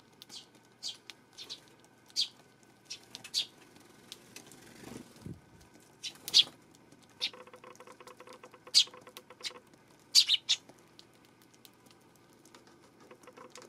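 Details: Eurasian tree sparrow on 12 September, uttering scattered single chirps at irregular intervals of one to several seconds, short and high, with faint rapid clicking and soft rustling between them.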